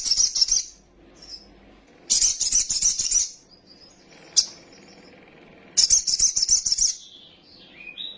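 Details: Little spiderhunter used as a lure to make young birds quickly agitated and flap their wings: three dense, high, buzzy trills about a second long, with soft thin notes and a sharp chip between them.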